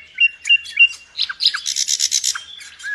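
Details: Nightingale in full, energetic song, a bird prized in Indonesia as a tutor for songbirds: scattered short chirps and slurred notes, then a fast buzzy pulsed trill about a second long, ending with a clear rising-falling whistle.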